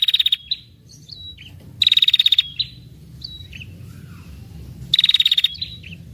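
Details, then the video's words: Female red-headed prinia producing its luring trill for males. Short fast rattles of high pulsed notes come roughly every three seconds, each trailed by a thin whistle and a soft falling chirp. "SUARA PIKAT PRENJAK KEPALA MERAH BETINA NGETIR PANJANG"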